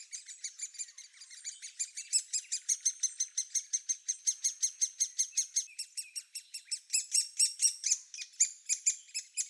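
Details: Young Great Spotted Woodpeckers in the nest hole shortly before fledging keep up a long, insistent run of high, buzzy chirps, nearly two per second, swelling in the middle and again near the end.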